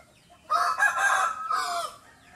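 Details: A rooster crowing at dawn gives one loud, hoarse crow lasting about a second and a half, harsh and rasping with a falling, drawn-out end; nothing else stands out.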